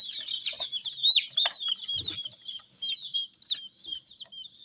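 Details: Colourful domestic chicks chirp rapidly in clear, high, falling peeps, several birds overlapping, with one low thump and otherwise a quiet background.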